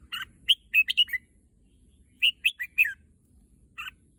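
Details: Red-whiskered bulbul, a pet bird said to want to visit the contest field, sings two fast runs of whistled notes rising and falling, then a single short note, in an otherwise quiet room.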